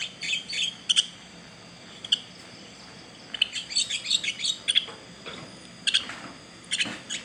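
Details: Baby bird chirping: bright, thin, high notes given singly or in quick clusters, busiest in the middle stretch, with brief pauses between bursts.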